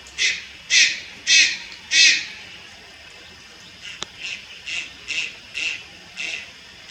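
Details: At Lugu on 30 July 2022 a young Malayan night heron utters four loud rough rasps, a sharp click, then about seven quieter scratchy calls in steady succession.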